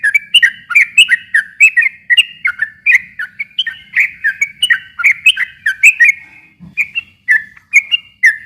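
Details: Yellow-vented bulbul giving an extended rapid song used to provoke reluctant birds to call: continuous chains of bright slurred whistles, dense and lively, with a brief knock near the end.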